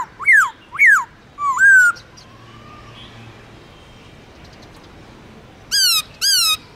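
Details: Black-throated laughingthrush kept as a cage bird, singing a forest-voice style song. Two steeply falling whistles and a slurred note are followed by a pause, then two more loud descending whistles.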